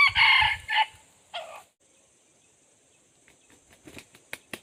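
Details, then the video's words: Red junglefowl crowing in a decoy setup used to lure wild junglefowl: a loud, harsh, multi-part crow in the first second and a half, then quiet with scattered clicks and a faint high insect hum. "dib qaib qu tuaj zoo Kawg li ต่อไก่ป่าเข้าดีมาก"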